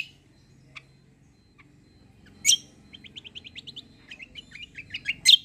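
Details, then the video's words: Kecial (white-eye) singing a combo-style song with cucak-like phrases: sparse sharp chirps, then a quick series of thin high whistled notes and loud piercing chip notes near the end, over a faint low hum. "KECIAL KOMBO CUCAK KOMBO FIGHTER GACOOR"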